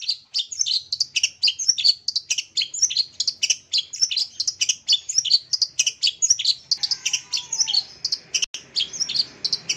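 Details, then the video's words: Long-tailed shrike song used to coax silent caged birds into singing: a rapid, continuous run of sharp chattering and chirping notes, tightly packed and bright, with several overlapping voices and a brief lower whistled slur near the end. "Suara Cendet Ini AMPUH Mengatasi Cendet Macet Bunyi, Mbagong dan Mbayi !"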